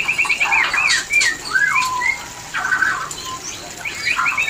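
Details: Mating call of a white-rumped shama, used to stir shamas into breeding: a quick trill opens, then clear whistled slurs falling and rising, with brief harsh notes between phrases.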